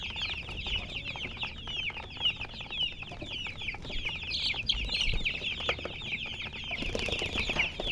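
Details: Chicken chirping, many short high chirps running together into a steady busy chatter, slightly louder near the middle, with a brief rustling noise near the end.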